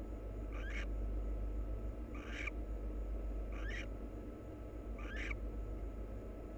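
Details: Mutual preening by a wild barn owl pair, with four short grating calls spaced about a second and a half apart, each carrying a faint rising sweep, and a constant hum beneath.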